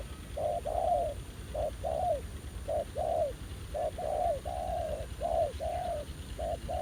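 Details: Spotted doves calling at a decoy trapping site, a bold wild male answering the ground decoy. Steady series of low hollow coos, short notes alternating with longer slurred ones, almost continuous for seven seconds.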